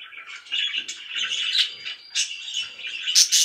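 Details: Budgerigars kept as pets chirping loudly, a steady stream of bright warbled twitters that rises into sharper, higher squeaks toward the end.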